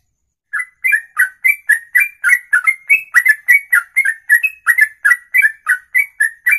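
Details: Songbird singing ropelan, a long song in one breath lasting over two minutes: an even, rapid stream of whistled notes, about four per second, each a short slur with sharp high overtones, without pause.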